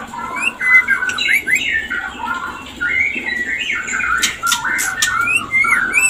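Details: Breeding-condition mating call of a white-rumped shama: bright whistled phrases that swoop up and down, broken by bursts of scratchy high chatter, with soft hiss behind.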